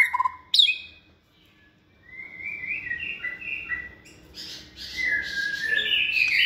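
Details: Hand-raised second-season white-rumped shama kept in a cage for song contests: a few loud sharp notes, a pause, then a soft rising series of whistled tones leading into buzzy, high warbling.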